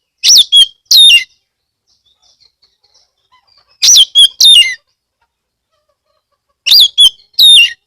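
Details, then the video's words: Oriental magpie-robin from Ambal, Kebumen, Central Java, singing as a lure for other magpie-robins: paired loud phrases, each a sharp whistled note curling down, repeated roughly every three seconds with brief quiet between. "pancingan kacer gacor"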